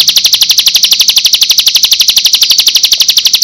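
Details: Bar-winged prinia (ciblek) lure recording for training and making birds answer: a fast, very even buzzy trill of high notes, about four per second, running without a break.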